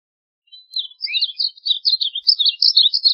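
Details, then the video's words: A varied bunting gives a lively, tumbling warble of sweet, high slurred notes, starting with a thin lead-in and rolling on for over two seconds in clean quiet. "Varied Bunting Song! Varied Bunting Call, Sound, Chirp - Colorín Oscuro Canto - Passerina Versicolor"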